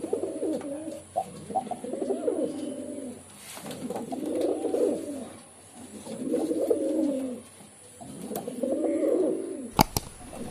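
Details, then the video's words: Repeated deep, bubbling pigeon coos in five evenly spaced bursts, ending with a sharp click. "Pigeon Sound || Different Different Pigeon Sound effect"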